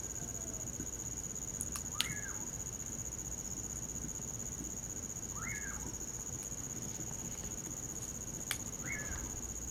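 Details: Common pauraque song by a winter campfire: three rising-falling whistled notes about three and a half seconds apart, with a constant high cricket drone and sharp pops and snaps from the fire.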